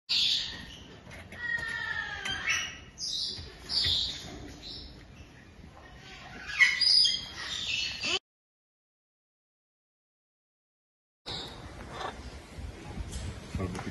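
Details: Blue-and-yellow macaw in an aviary uttering loud, harsh squawks in repeated bursts, with rough raspy calls clustered early and a brief silent gap before more squawking resumes.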